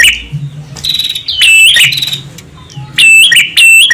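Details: Male and female prinias calling, used to attract birds: uneven, scratchy chirps building into loud, shrill notes, then two crisp closing bursts.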